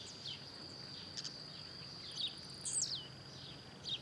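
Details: Blue-black grassquit in the wild, singing and hopping: a bright, thin note sliding steeply downward late in the clip, with a few faint chirps before it and a constant high-pitched insect tone behind.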